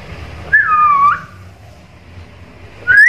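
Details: A vocal black-capped lory, able to talk and mimic varied sounds, gives a clear whistle that drops and wavers, a pause, then another rising whistle.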